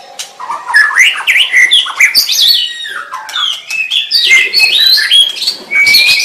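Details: Melodious white-rumped shama song: flowing strings of varied whistled notes, slurred up and down, with bright high phrases and brief rests between bursts.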